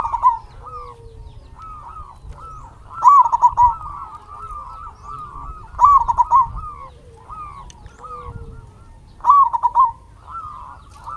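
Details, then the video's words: Local zebra dove singing as a lure for other doves, repeating a loud, rapidly pulsed cooing phrase roughly every three seconds, four phrases in all, with a continuous backdrop of gentler coos from neighbouring doves. "Perkutut Lokal Gacor RAJA PIKAT Ahlinya Bikin Semua Burung Perkutut Gacor Nyaut"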